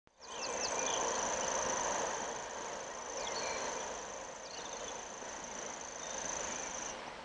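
A common grasshopper warbler reels nonstop: a high, dry, insect-like trill held at one pitch for the whole stretch. Steady background rumble and a few faint chirps from other birds.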